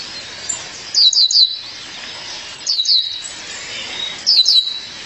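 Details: Calling for her mate, a female violaceous euphonia gives three short bursts of sharp, high, falling chirps, each roughly one and a half seconds apart.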